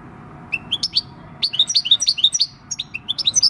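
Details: European goldfinch, six years old and wild-caught, singing its natural field song on 26 December 2019: short groups of quick, sweet, rising chirps repeated with brief gaps, clear over quiet background.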